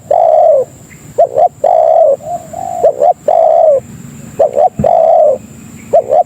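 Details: Tekukur (spotted dove) lure call for pulling in other doves: long, full coos alternating with short doubled notes, repeated in a loose rhythm, with a soft steady whine in the background.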